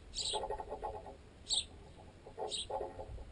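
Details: Feeding sparrows, adults with begging-age fledglings, at bread wedged in a tent guy line: three clipped high chirps spaced about a second apart, mixed with clusters of loud pecking knocks amplified through the camera's tent pole.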